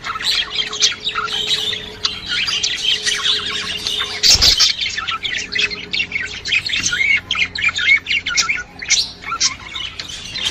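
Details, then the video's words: Chattering budgerigars whose calls are used to encourage a female to mate: continuous rapid squeaks, chirps and warbles, a brief thump midway, and a low steady hum underneath. "صوت تحفيز انثى البادجي على التزاوج"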